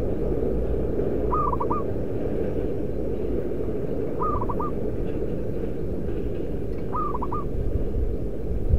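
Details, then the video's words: Three evenly spaced phrases of rapid stuttering coos, about every three seconds, from a local zebra dove used as a decoy for its loud voice, over a steady deep background hum. "Perkutut lokal raja pikat si SATRIO suara lantang !"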